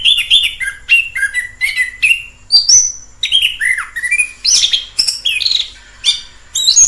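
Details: In the wild, an orange-headed thrush sings continuous varied phrases: whistles stepping between mid and high pitch, slurred and rising notes, brief squeaky bursts, nearly without pause.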